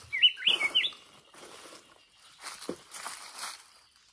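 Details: Mature wild-caught red-whiskered bulbul with a good voice, Binh Tan, Ho Chi Minh City: a quick burst of bright, chirpy warbled notes in the opening second, followed by rustling and handling noises.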